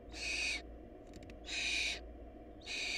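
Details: Barn owl nestlings whose family lacked food: three raspy hissing shrieks with faint tonal streaks inside, soft clicks in the first gap, steady hum underneath.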